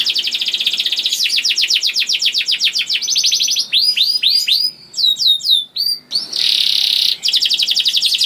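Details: Young canary pouring out a rolling lure song to encourage other canaries to sing: long fast trills, clusters of curved whistled notes, brief pauses, and a buzzy rattling section, with faint background hiss.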